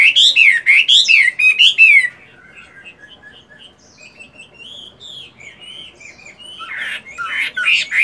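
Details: Moulting caged Chinese hwamei at morning singing practice: two seconds of loud, bouncing repeated notes, then a quieter stretch of soft whistled warbling that swells again into strong, harsh phrases near the end.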